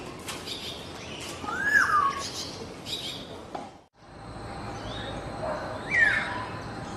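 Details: Black-naped oriole singing in the wild: fluty whistled notes sliding downward, one near two seconds and another near six, heard over a heavy hiss of background noise, with a brief silent gap in the middle.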